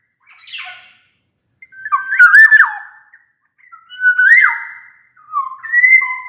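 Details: A black-naped oriole sings energetically, meant to coax silent orioles into singing: a rough rasping note, then three separate mellow whistled phrases, each rising and ending in a falling slur.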